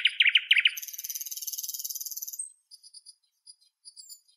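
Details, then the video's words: Northern European nightingale producing a quick series of loud chirps that turns into a long, very rapid buzzy trill, followed by soft, high, widely spaced notes. "Northern European Nightingale Birdsong"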